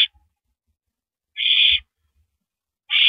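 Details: Owl at the nest, 9:14 PM, April 9, 2012, passing prey to its mate; harsh hissing screeches, one full burst of about half a second between clipped ones, with quiet thuds.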